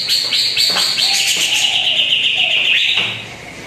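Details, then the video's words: Greater green leafbird lure song meant to prompt a quiet bird: a continuous stream of fast, bright twittering notes that slowly dips in pitch, with faint low whistles beneath, then fades. "PANCINGAN CUCAK IJO ANDA YANG JARANG BUNYI"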